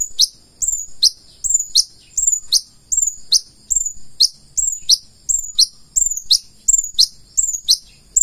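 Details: Steady run of shrill, high chirps from a purple-throated sunbird, each note flicking down in pitch, coming in a regular rhythm roughly every half second. No other sounds are heard.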